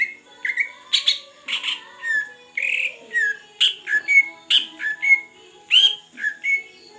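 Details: A big Greater green leafbird taken from the Aceh Beutong forest and kept one month sings energetically, stringing together loud chirps, clear whistles and buzzy trills in quick succession against a quiet humming background.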